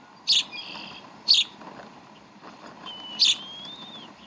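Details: At the Decorah bald eagle nest on 11 April 2012, while the young are fed: two sharp chirps a second apart, then a long, thin, slightly wavering whistle with another chirp, over a steady hum.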